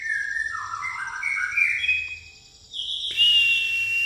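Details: White-rumped shama, pastol type, singing with fighting-sparrow fill: a fast run of whistled notes that climb and dip, a short pause, then a sharp, bright, sustained high whistle.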